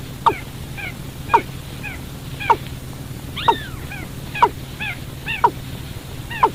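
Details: Watercock lure call for trapping birds at night: crisp descending notes struck roughly once a second, each followed by gentler high slurred echoes, above an unbroken low hum.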